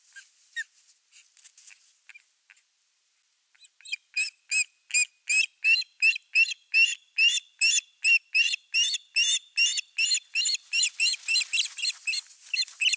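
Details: Osprey at a nest with a fish, recorded by a nest camera on 4 August: a rapid series of short, sharp whistled chirps repeated about two to three times a second, growing louder and more urgent toward the end, with fainter scattered chirps before.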